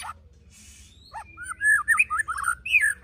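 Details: Brief phrase from a white-rumped shama called a 'pastol fighter' murai batu: a rising note followed by a run of liquid, wavering mid-pitched whistles.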